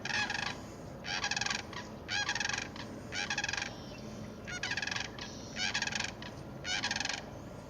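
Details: Sandhill cranes heard in the distance at a popular birding spot, 19 March 2017, around sunrise, give rolling, rattling bugles in half-second bursts, roughly one a second, over a steady low rumble of background noise.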